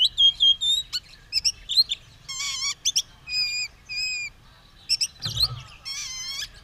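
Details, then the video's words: White-rumped shama, ready for battle with tail spread, singing loudly: clear whistled notes, repeated ringing harmonic phrases with a rich tone, and short sharp chirps, one dull thump near the end. "Burung kacer siap tarung buka ekor gacor"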